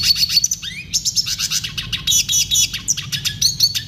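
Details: Red siskin singing clearly for a tutor recording meant to teach caged birds: rapid high chattering trills and chips with a rising whistled slide, uninterrupted over a faint low hum.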